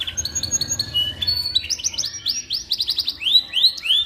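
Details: Canary singing, meant as a training song for white-rumped shamas: a rapid string of high chirps and short whistles flowing into repeated downward-curving slurred notes, lively and continuous.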